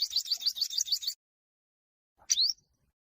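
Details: Olive-backed sunbird giving a fighting song intended to provoke other birds: a quick trill of rapidly repeated high rising notes, a pause, then one loud upslurred chip.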